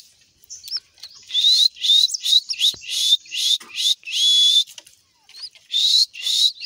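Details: Pet pink-necked green pigeon giving a fast series of rising whistled notes, each short and slurred upward, running together in bursts with brief gaps between them.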